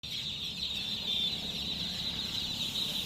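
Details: Chicken chicks chirping together, a steady blur of high peeping that merges into a continuous shrill band, with faint low rumble underneath.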